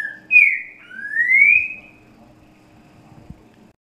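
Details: Great thrush song in the soft 'grego boca mole com boi' style used for tutoring chicks: a short downward whistle, then a long rising whistle, followed by quiet.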